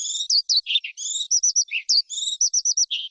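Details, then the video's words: Wild forest skylark singing a fast, varied run of high chirps and slurred whistles, bright trilled phrases broken by short dips to lower notes, with brief gaps between bursts; no other sounds. "Tiếng Chim Sơn Ca Rừng Hót Hay Nhất"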